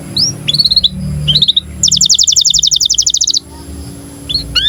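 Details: Canary in breeding condition singing, a song used to prompt and tutor young canaries into singing and rolling: short high whistled slurs, then a fast, even, buzzy trill of paired notes lasting about a second and a half, then rising whistles.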